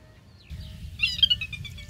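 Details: Sora whinnying loudly from hiding in marsh cattails and reeds: a thin whistled note, then a rapid, bright run of high notes, over a low steady rumble.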